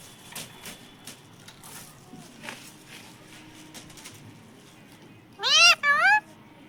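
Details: Talking parrot said to say "mummy papa"; after several seconds of faint background noise and clicks, two loud, rich, upward-curving harmonic calls come in quick succession near the end.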